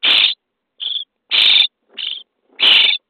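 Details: Starling chicks begging in a nest box at feeding time, day 23: five short raspy, hissing bursts, loud and soft in turn, about two per second with clear gaps.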